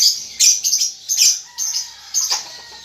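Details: Young lovebird, a newly weaned juvenile, practising the chattering style called ngetik ngekek: bursts of high, harsh, rasping chirps grouped in short phrases with brief pauses between them.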